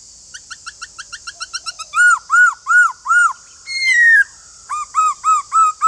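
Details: Caged white-cheeked laughingthrush in full song: an accelerating run of quick clicking notes leads into loud arched whistles repeated about twice a second, a short falling slur, then more bouncy repeated whistles.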